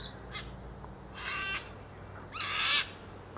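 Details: A large flock of ibis, possibly Straw-necked Ibis (Threskiornis spinicollis), feeding and grooming far off in a ploughed meadow in Australia on a warm afternoon after rain gives two harsh, rasping squawks about a second apart, after fainter calls, over a low hum.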